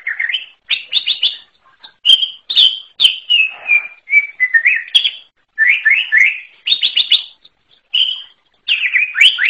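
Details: Greater green leafbird singing a rich, varied song of rapid chirps, slurred whistles and rising notes in quick bursts with brief pauses, mostly high and bright.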